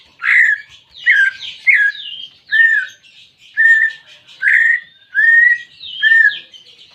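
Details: Greater green leafbird song aimed at stirring a silent pet bird: loud whistled and slurred phrases repeated about every 0.7 seconds over a continuous background of higher chattering notes.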